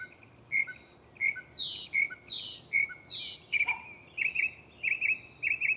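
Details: A mockingbird sings at night from a tree close by, cycling phrases: clear short whistles alternating with buzzy descending notes, then rapid doubled chirps repeated several times.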